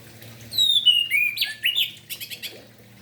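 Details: Morning song of an orange-headed thrush, used to rouse other orange-headed thrushes: a descending clear whistle slurring into tumbling notes, ending in a quick series of high chips.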